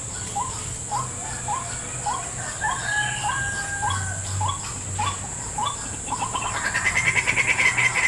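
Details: In a salak fruit garden, a white-breasted waterhen responds to a trapping lure with quick hooked notes at a steady pace, ending in a louder buzzy rattle, over droning insects.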